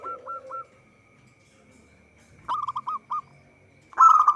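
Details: Zebra dove, local type, singing for use as a trapping lure. Three short coo notes, a pause, then a burst of five beaded notes, and finally a loud rolling trill.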